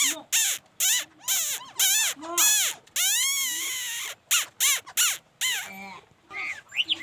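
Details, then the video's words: Laughingthrush singing loud, rich arched notes that rise and fall, delivered in quick bursts with short pauses, some notes harsh and broad, ending in higher rising whistles. "khướu hót"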